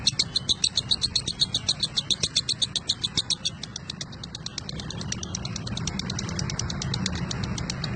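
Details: Lovebird in ngekek chatter, a fast run of sharp high pulsed chirps for about three seconds, then fading into steady low background hum with faint continuing pulses.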